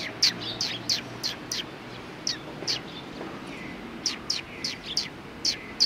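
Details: Eurasian tree sparrows resting after feeding, recorded 26 January 2020: sharp, high chirps scattered through the clip, some singly and some in quick pairs, over a soft background hiss.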